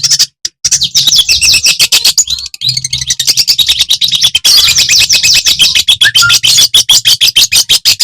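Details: Vigorous song of a Madura long-tailed shrike, used to make other shrikes sing and get agitated: a long, fast, scratchy chattering stream of high notes with brief gaps, one short clear whistle near the end, and a low hum throughout.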